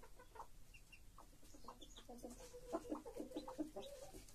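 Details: Hen with her chicks, a broody foster mother raising young, giving soft low clucks in quick irregular runs that grow denser and louder toward the end, with faint higher chick peeps scattered above.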